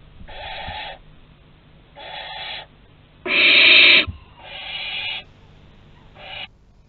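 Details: Barn owl at a nest in Théding, France, on 2 September 2020, around a young bird's first flight from the nest and its return. Five harsh, hissing screeches of varying length, the middle one loudest and longest, separated by short pauses.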